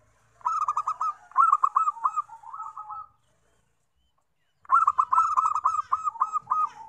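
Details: Zebra dove lure song for catching wild doves: two long phrases of fast, rolling coos on a steady pitch, each phrase about two and a half seconds, with a clear silence between them.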